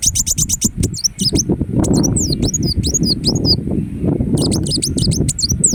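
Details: Indonesian ruby-cheeked sunbird singing rapid high ticks followed by twisting, sharply inflected whistles in tight groups, with a steady low rumbling noise underneath for most of the recording.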